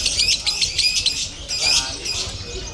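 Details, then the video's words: Lovebird at a Bandung singing competition, called 'konslet crazy', gives short harsh chattering phrases of buzzy, grating chirps separated by brief pauses, with faint voices behind. "LOVEBIRD KONSLET CRAZY DATANG KE GANTANGAN BAROMETER DI BANDUNG"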